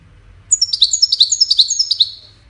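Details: Melodious goldfinch song for courtship and communication: a two-second cascade of about twelve quick, high, tinkling notes that drifts slightly lower toward the end, with no other sounds.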